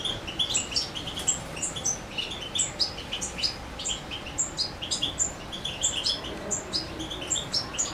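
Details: European goldfinch in Macedonia on 7 July 2011 delivering Suki Makedonski song: a continuous, rapid chatter of tinkling high notes and short buzzes, notes packed several per second throughout.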